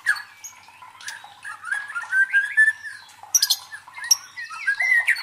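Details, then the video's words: White-rumped shama song for provoking and training contest birds: a rising whistled glide, then short sharp notes and high squeaky slurs in an irregular phrase. "MELATIH MENTAL FIGHTER MURAI BATU DENGAN SUARA PANCINGAN INI"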